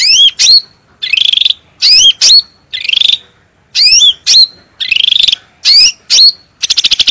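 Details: Clear, strong cucak rante bulbul song, used as a master and lure for cage birds: harsh buzzy bursts alternating with bright upslurred hooked whistles in an uneven rhythm, ending in a fast rattling stutter.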